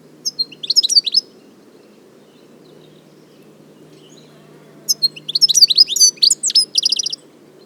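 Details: European goldfinch in the wild: two bursts of fast, tinkling twittering song with buzzy trills, a short phrase near the start and a longer, denser one after a pause of about four seconds, over faint low background hum.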